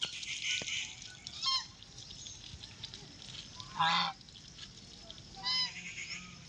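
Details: A pet white call duck gives loud, harsh, nasal quacks in short bursts, the two strongest about two seconds apart, over a steady background hiss.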